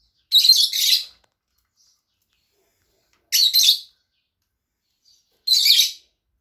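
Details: Two pet Fischer's lovebirds calling with three harsh, buzzy chirp bursts, each under a second long and spaced about two and a half seconds apart, with silence between.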